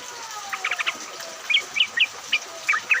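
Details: Yellow-vented bulbuls in a group chorus in rain, meant as a lure: a quick burst of chattering notes, then clear upslurred chirps spaced roughly every half second over rain hiss.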